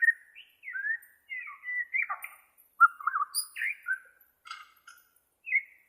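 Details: Bornean white-rumped shama, recorded to train captive shamas: separate clear whistled notes and short slurred phrases, some rising and some falling, delivered with brief pauses between them.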